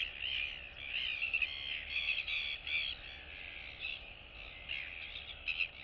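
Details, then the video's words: Royal albatross chicks greeting neighbours in the colony on 9 September 2022, giving a jumble of moaning, wavering nasal calls that fade toward the end, with occasional squeaks. "Royal Albatross ~ Cute Chick Chat & Interacting Among Neighbors!"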